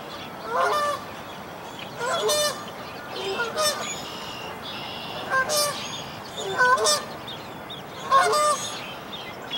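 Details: Canada goose (Branta canadensis), likely the mother at a nest in a dead tree at Dufferin Islands, gives loud, nasal two-part honks about every 1.5 seconds. Faint thin peeping between them probably comes from her five 1–2-day-old goslings as they leave the nest.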